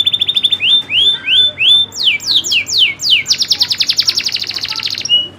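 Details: Local kenari loper canary singing in nembak ngerol style: quick repeated whistled notes, then slower upslurred whistles, swooping descending sweeps, and finally a fast, dense rolling trill ending on a short clear note. No other sounds.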